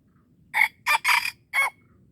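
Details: Red junglefowl crowing during a mikat luring session in Darul Kamal, Aceh: a clipped crow of four loud rasping notes, the middle two close together and the closing note drawn out slightly, in still surroundings.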